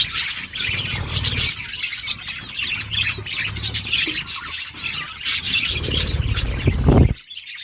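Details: A group of budgies housed in an outdoor aviary produces busy high chirping and squawking throughout, with heavy low rumbles underneath and an abrupt stop near the end.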